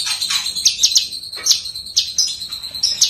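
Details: Lesser green leafbird in full song, recorded as a training master for songbirds; a steady high thin tone is broken by sharp, squeaky chip notes spaced irregularly, roughly two to three each second.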